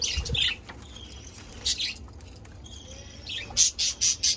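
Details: Budgerigars recorded 17 February 2024: scattered chirps and a thin, drawn-out tone, then a run of four harsh, squawky high notes in quick succession at the end.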